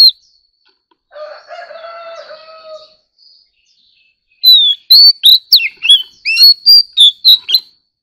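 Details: White-rumped shama in competitive singing, kept as an ornamental bird: after a low buzzy harmonic sound and a pause, a burst of loud clear whistled notes and upslurs follows, roughly three per second, over a faint steady high tone.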